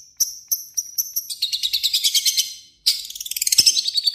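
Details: Long-tailed shrike (cendet) singing a varied song mixed with imitations of other birds: sharp high chips at first, then a rapid run of buzzy, scratchy notes, a short pause, and another fast burst of harsh, chattering phrases.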